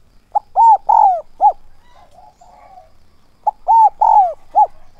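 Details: Decoy spotted dove calling in 'son' voice with 'thúc' and 'gáy gọi' style to attract wild doves. Phrases of a short note, two arched coos and a long falling coo, then a clipped end note, with quiet murmuring in the pause.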